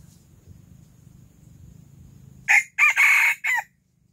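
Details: Silkie rooster crowing loudly in the early morning: after a quiet low hum, a harsh multi-part crow of four loud bursts, a short note then a long drawn-out middle and a clipped ending.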